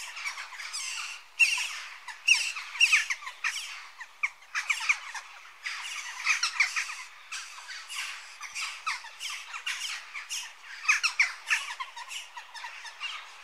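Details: Western jackdaws calling together, a dense, continuous chatter of short, sharp, squeaky chak notes overlapping in rapid bursts, with louder peaks around the second and third seconds and again near the eleventh, with no other clear sounds.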